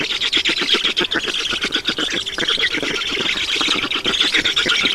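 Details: Black storks feeding at an Estonian nest, 7 June 2019, 16:18. Grating, squealing notes come in a fast stuttering stream through all five seconds, with loudness rising and falling slightly.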